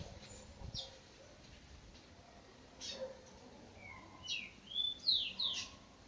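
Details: Chestnut-bellied seed finch at dawn, trinca bico de veludo song style: quiet opening chirps, then a quick run of bright whistled notes that sweep up and down near the end, over soft background noise.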